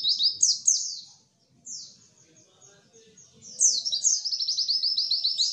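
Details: White-eye song played to make quiet birds start singing and imitating: rapid, high, thin descending notes in a tumbling chatter. A short pause follows, then a long fast trill of repeated downslurred notes.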